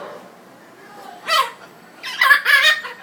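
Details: African grey parrot talking after a bath in Dhaka, Bangladesh; two bursts of speech-like syllables, the first short, the second a rapid doubled phrase, in a quiet room.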